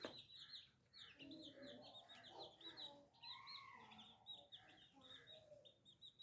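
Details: Baby chicks keep up a continuous stream of high, short peeps, while a hen gives lower, drawn-out clucks and a rising crooning note near the middle.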